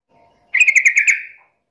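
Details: Sooty-headed bulbul in agitated, fighting mode: one short burst of rapid, pulsed chattering notes, bright and harsh, lasting under a second after near silence.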